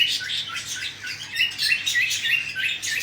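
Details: Young cockatiels being fed by the parents, producing rapid, rasping chatter of short noisy notes, about three per second, with little pause.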